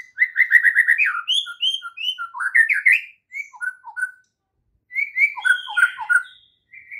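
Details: White-rumped shama singing a morning training song meant to spur other shamas into song; rapid run of repeated whistled notes, then varied fluty phrases rising and falling, a short pause, and another burst of rich whistles.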